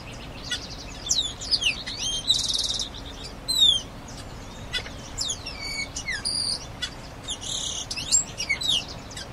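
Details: Grayish baywing (asa-de-telha) singing a varied, lively series of sharp slurred whistles, rising and falling notes, buzzy rasping bursts and quick chattering phrases, delivered in clusters over about nine seconds above a steady low background hiss.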